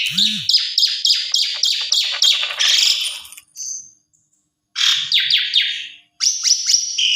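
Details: Asian pied starling lure song meant to make other Asian pied starlings answer: a run of harsh, buzzy strokes repeated about three per second, a pause, then more raspy bursts and a high whistled note.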